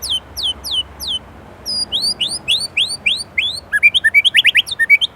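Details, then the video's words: Indonesian white-rumped shama in gacor song rich in isian: sharp descending high whistles, then a run of rising sweeping notes, ending in a fast even trill of about ten clipped notes. "Murai Gacor isian Gurih"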